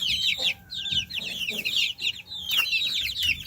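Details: Baby chicks chirping: a dense, continuous chorus of high, thin peeps with quick rising and falling sweeps, many overlapping calls at once and brief soft thuds in the background.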